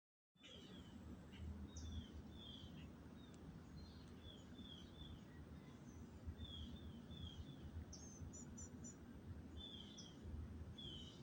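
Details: Birds calling at sunrise in an old Florida tree canopy: thin, high, slightly falling whistled notes repeat steadily, with a brief cluster of sharper, higher chips near the end, all faint above a constant low rumble of background noise.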